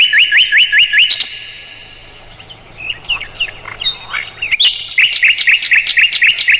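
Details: Mugimaki flycatcher song for training songbirds, notably the White-rumped shama: quick repeated upslurred whistles, a softer varied warbling middle section, then the rapid rising notes return in steady series.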